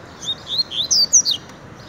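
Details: Kept double-collared seedeater (coleiro) singing in the tiziu song style: a quick phrase of about six high, bright whistled notes, sliding up and down, over steady low background hiss.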